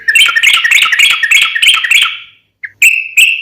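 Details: Lure song of a sooty-headed bulbul: dense, jumbled burst of quick chattering whistles for two seconds, a short silence, then a few clear, sustained higher whistled notes.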